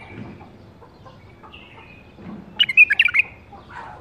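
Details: Short, rapid run of bright chirping notes near the end from a captive-bred caged bulbul of the 2018 season, preceded by a few faint thin whistles and quiet room noise.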